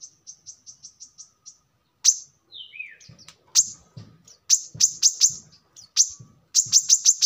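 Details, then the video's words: Brown-throated sunbird song for training birds: soft regular high chips, then a loud chip, a descending slurred note, and clustered loud sharp chips, with low knocking sounds underneath. "kolibri kelapa | manggar | wiceh | tidak disangka burung receh segacor ini untuk pancingan |masteran"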